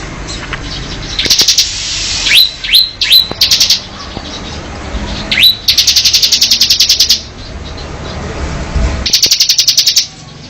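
Mountain cemblek bird: bursts of fast, dry, buzzy chattering, broken by short, sharp upslurred chirps repeated about every half second.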